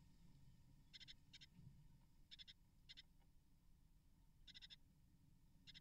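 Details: Nest of a great tit (Parus major), with a parent feeding nestlings and removing eggshell after hatching: faint rasping bursts of two or three pulses, repeated every second or so, with a low muffled rumble beneath.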